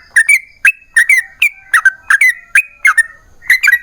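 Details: A yellow-vented bulbul sings a long, rapid 'ropel panjang' phrase meant to draw replies from other bulbuls; short gurgling whistles, some doubled, come about twice a second with crisp clicking onsets.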